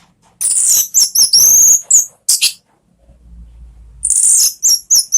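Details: Very high, thin, sliding whistles and scratchy phrases from an orange-headed thrush used as a lure to make other pet birds sing; a faint low hum fills a brief gap before the loud song resumes.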